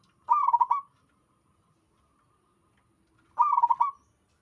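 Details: {'caption': 'Local wild zebra dove singing; two short melodious cooing phrases, each a rapid pulsed rolling coo lasting under a second, separated by about three seconds of silence.'}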